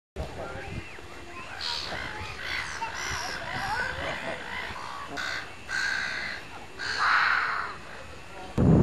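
Common eiders give soft, crooning, human-like calls that rise and fall, mixed with harsher croaks, coming irregularly from several birds.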